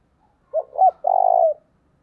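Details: A spotted dove's early-morning lure coo, local 'thổ đồng' voice: short hoot, second short hoot, then a long buzzy low note, quiet surroundings.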